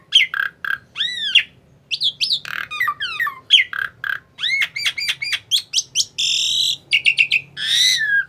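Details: ['Tame Asian pied starling delivering a busy run of varied notes: sharp rising and falling whistles, slurred two-part notes and harsh buzzy squawks in quick succession, with short gaps and a few rapid repeated chips near the end.']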